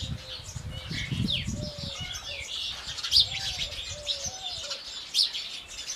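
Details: Indian house sparrows chirping in the morning, scattered sharp tweets over low rumbling noise, while a dove coos in short arched notes below.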